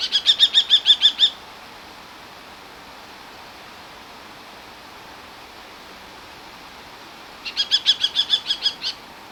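Common kestrel giving a rapid, shrill series of about eight 'kee-kee-kee' notes, a pause, then another burst of about nine; quiet background.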